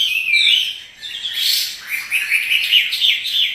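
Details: A kept Chinese hwamei, singing energetically while dancing, pours out a loud, fast, varied song of rich whistles and chattering phrases, continuous and high-pitched, with no other sounds.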